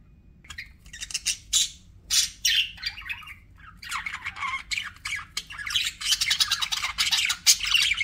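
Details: Budgerigars kept as pets chattering: separate squawks at first, then a thick, continuous mass of scratchy chirps and warbles building in the last four seconds, with a low hum beneath.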